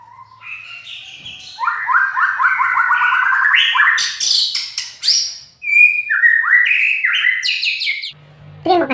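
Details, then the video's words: Champion white-rumped shama, loud and rough-voiced: a long, varied song of rapid repeated stuttering notes climbing in pitch, harsh high bursts, and clear whistles, with a low thud near the end. "Kicau murai Batu,Suara kasar, Terbaik di kelasnya."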